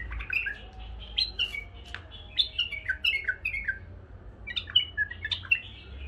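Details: A male and two female pet bulbuls sing indoors in a cage: clear, slurred, falling whistled notes in short phrases, repeated with brief pauses between.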